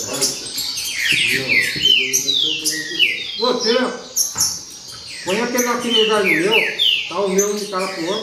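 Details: Baderna-style singing of green-winged saltators: quick bursts of descending whistled phrases, with other birds' calls and low voices briefly mixed in.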